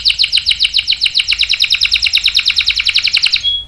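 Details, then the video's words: Canary, used to lure other canaries into song: a fast, steady series of bright descending chirps, closing on a short pure whistled note. "PANCINGAN KENARI GACOR cuit cuit bikin NYAUT ikut BUNYI NGEROL PANJANG ¦ CANARY SINGING"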